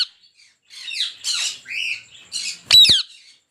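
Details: Rose-ringed parakeets kept at a farm of 400 breeding pairs give shrill, scratchy squawks in four or five bursts after a short quiet start, ending with one sharp, piercing screech.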